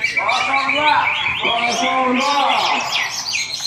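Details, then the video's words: Cucak hijau, the greater green leafbird, competing in a Singkawang bird-singing contest. It gives rich, varied warbling with rising and falling whistled slurs and high buzzy trills, mixed with other singers and some human chatter. "Kontes Burung Cucak Hijau"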